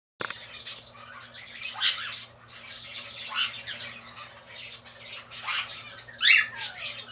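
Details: Pet cockatiel chick, 36 days old, giving soft, raspy, hissing calls at irregular intervals over a faint steady background hum.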